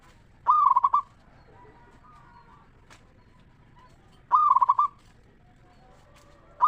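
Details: Local zebra dove song used as a lure to make other zebra doves sing: loud rolling cooing phrases of rapid pulsed notes, two phrases about four seconds apart, with softer distant cooing between.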